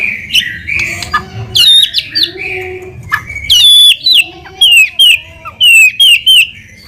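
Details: White-rumped shama singing vigorously as a lure for other shamas: loud, varied phrases of bright whistles and sharp upward-flicked notes, separated by short gaps, growing clearer and more clipped toward the end.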